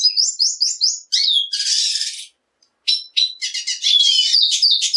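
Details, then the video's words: Black siskin song: rapid high twittering phrases and repeated chirps, a dense buzzy burst, a short silent pause, then more varied sharp notes and trills with a thin whistled slide. "Negrillo Boliviano! Llamado! Sonido! Cantando! - Black Siskin Song - Spinus Atratus"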